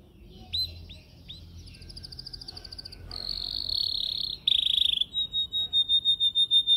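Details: Caged canary singing in training: a few upswept chirps, a buzzy trill, a dense harsh rolling tour, then evenly repeated pure whistled notes; faint background hiss.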